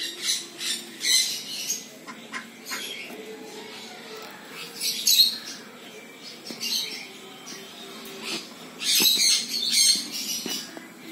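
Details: A pair of Gouldian finches (Chloebia gouldiae) calling: soft, high, squeaky calls in short irregular bursts, with faint hissy notes between them.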